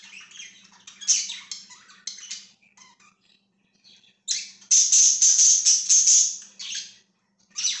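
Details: Pet budgerigars indoors giving bright, scratchy chirps and squawky warbles in bursts, loudest in a dense run midway, with a faint steady low hum beneath.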